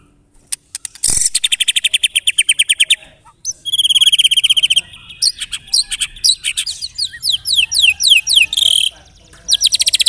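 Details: Lure song of a white-rumped shama (murai batu) meant to set other birds singing: long rapid trills of repeated buzzy notes, then sweeping downslurred whistles and fast chatter.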